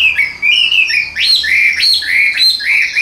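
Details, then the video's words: Tame Chinese hwamei, carried in the hand, tail-fanning fighting type, singing loud, clear whistled phrases with a good, very even voice, each sliding and rising in pitch, repeated almost without pause in a rich, steady stream. "Giọng Hay Ra Giọng Rất Đều"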